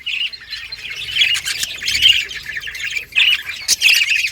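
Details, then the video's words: Australian budgies in a caged breeding colony chatter busily: overlapping bright chirps, scratchy warbles and occasional sharp clicks from several birds, rising in loudness toward the end. "Budgies breeding progress and chirping sounds"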